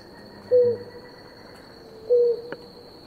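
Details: Two low, short hollow coos about a second and a half apart from a blue ground dove drinking with its partner, with a steady high insect whine and a faint click.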